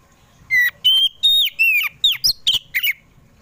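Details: Oriental magpie-robin of the kacer poci type singing in the afternoon, a lure song to make kept magpie-robins sing: about eight loud, clear whistled notes, several sliding downward, delivered in a quick uneven run.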